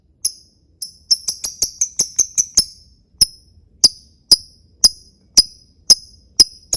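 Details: Lovebird giving its 'ngetik' typing-style ticking, used as a lure: sharp, high clicking ticks, first in a quick irregular burst of about a dozen, then slowing to a steady tick roughly every half second, with a quiet background.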